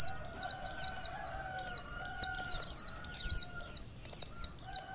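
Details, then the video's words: Female white-eye calling to get a male to start singing: regular bursts of fast, high-pitched descending twitters about twice a second, with a steady faint hum in the background. "pleci betina untuk mempercepat buka paruh pleci jantan"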